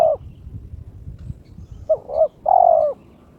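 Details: Spotted dove (terkukur), a kept bird in breeding mood, challenging an opponent: a trailing coo, then one full phrase of two quick hollow notes and a drawn-out falling coo, over faint low background rumble.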